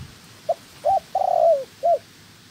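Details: Decoy spotted dove being trained for trapping, a second wild-caught female with it. One clear phrase: a brief note, a fuller coo, a long rolling coo that slurs downward, then a final short coo.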